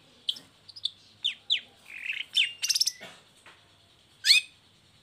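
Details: Long-tailed shrike in a cage, uncovered and singing as a lure for sluggish or moulting shrikes: varied twittering with short chirps, downslurred notes and a quick rattling trill, then sharp high calls.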